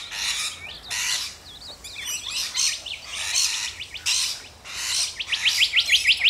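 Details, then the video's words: Rainbow lorikeets, Australia, giving rasping broadband screeches repeated roughly every second, mixed with thin rising whistles and a fast run of short chirps toward the end. "Rainbow Lorikeets"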